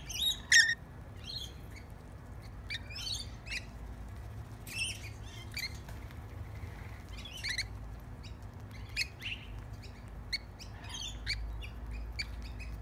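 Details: Lorikeets at a bread feed give scattered brief, harsh squawks and scratchy chirps, a loud shriek at the start, then intermittent notes over a quiet background hum.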